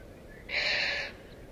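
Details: Little corella in a huge foraging flock of over a thousand in suburban Melbourne, on the ground and in trees: a single harsh, grating screech about half a second long from a quiet background.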